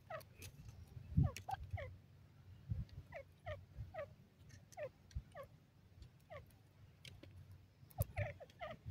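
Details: Male grey francolin calling on its first day in the jungle to announce its presence: steady run of brief, slurred descending notes repeated about every half second, quiet over continuous low rumble and occasional knocks.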